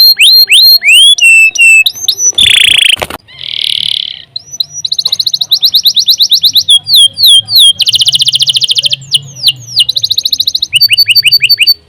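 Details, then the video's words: Long, unbroken canary song for training other songbirds. Quick whistled sweeps lead into two short noisy bursts, then varied rapid trills and rolling chip series that change every second or two. "CANARY GACOR PANJANG UNTUK MASTERAN LANGSUNG NYAUT"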